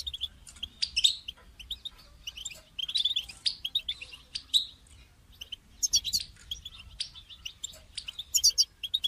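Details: European goldfinch song played to encourage a caged goldfinch to sing; scattered groups of quick tinkling, twittering notes with occasional buzzy trills, fairly soft, in irregular clusters across the recording.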